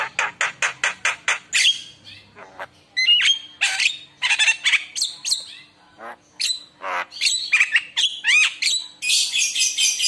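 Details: Javan myna singing a lure song to prompt other mynas: a fast series of harsh, rasping notes, then a rich mix of whistles, squeaks and chatter with sharp slurred notes and buzzy bursts.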